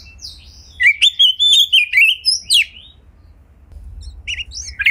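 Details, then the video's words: White-rumped shama, kept as a house bird, singing to prompt other shamas to sing: a run of sharp whistled notes with a warbled phrase around the first three seconds, then quieter, scattered high notes after a pause. "Pancingan Kacer Gacor Agar Bongkar Isian Ngobra"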